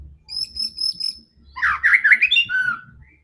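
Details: Aggressive white-rumped shama song used to rouse other shamas: a few high thin repeated notes, then a rapid tumbling burst of varied whistles and chatter ending in a falling whistle, over a low background hum.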